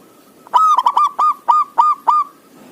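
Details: Loud zebra dove song, a series of ringing, harmonic-rich cooing notes with hooked endings, a quick stuttered pair then evenly spaced notes about three per second, over faint background hiss.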